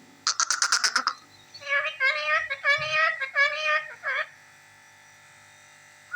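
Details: Talking parrot: a fast burst of about six harsh repeated notes, then a run of speech-like, word-imitating syllables lasting about two and a half seconds before falling silent.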